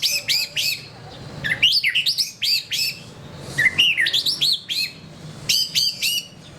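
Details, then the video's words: Murai batu (white-rumped shama) repeating short clusters of bright, upward-curving whistled notes, grouped in quick bursts separated by brief silences. "SUARA BURUNG : Pilih Murai Batu Gacor"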